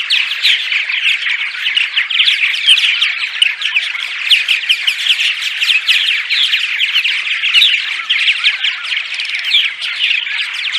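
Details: Daytime chatter of purple martins: a steady, crowded stream of rapid warbling chirps and rasping notes from several birds at once, unbroken throughout.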